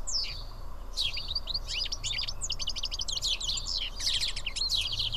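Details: Feeding house sparrows at Karyotissa, Greece, chatter in rapid strings of short, clipped chirps. The notes grow denser and more insistent toward the end over a steady low background noise.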